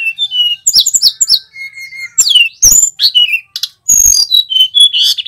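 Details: Male tledekan gunung, a flowerpecker, singing loudly: clear, sliding whistles that rise and fall, mixed with sharp clicks and short buzzy bursts, in a varied, broken phrase with no other sounds.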